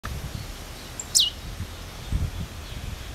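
A Lined Seedeater gives one thin, high call that slurs sharply downward, over a low rumble of wind or distant noise.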